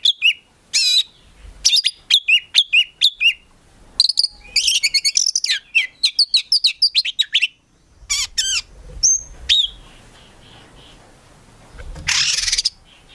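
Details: Kept Oriental magpie-robin producing long rapid series of sharp repeated chirps and dense trills, then sparse calls and a closing harsh burst, with low background rumble.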